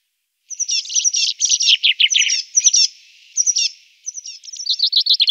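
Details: Eurasian blue tit giving a rapid run of high, thin chirps and scolding notes that break into short bursts, pause briefly, then resume as quick ticking calls; no other sounds.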